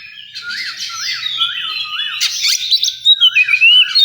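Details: Oriental magpie-robin singing at a singing contest area: a run of short rising-and-falling chevron notes repeated about three times a second, then bright slurred whistles, with other birds singing densely in the background.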